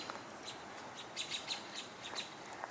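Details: American Robins give short, sharp, high chirps in scattered bursts over a steady outdoor hiss, possibly alarm calls at a hawk that flew through near Rice Hall.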